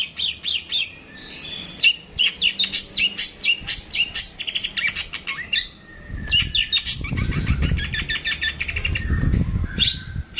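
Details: Long-tailed shrike singing in the long 'tembakan' style: a rapid run of sharp, high chirps and trills, then scratchy, buzzy phrases, with low rumbling background noise in the second half.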